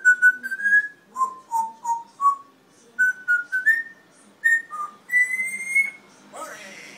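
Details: Red-tailed African grey parrot whistling a tune of clear, steady tonal notes stepping between higher and lower pitches, ending on a long rising note and a rough squawk.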